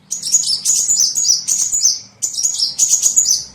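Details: Small bird lure sound: two bursts of dense, high, twittering chatter with quick up-and-down slurred notes, separated by a brief gap, over faint low background noise.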